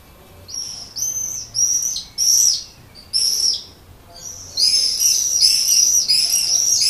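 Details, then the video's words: Common swift attracting a partner to a terracotta nest pot under a terrace roof in Leuven, Belgium, on an evening in early May; shrill, high buzzy screams in bursts of about half a second, ending in a longer run of rapid trilled screeches. "Gierzwaluw lokt partner in bruine terracottapot"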